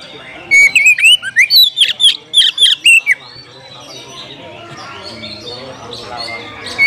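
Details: Oriental magpie-robin challenging a rival to fight; a single loud burst of about ten clipped, rising and falling whistles lasting a few seconds, followed by a stretch of quieter background sound.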